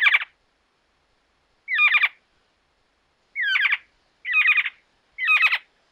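Giant Antshrike giving loud, harsh, nasal squawks, each about half a second long, repeated at uneven intervals of one to two seconds against a quiet background.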